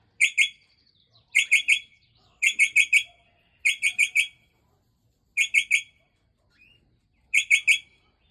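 A Port Lincoln parrot gives quick bursts of two to four sharp, shrill notes, repeated every second or two with brief pauses between, against a quiet background.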